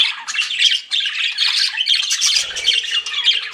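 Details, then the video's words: Flirting pet budgerigars keep up a steady stream of buzzy, squawky warbling and chirping, with a low thudding noise midway. "CUTE PET BUDGIES CHIRPING"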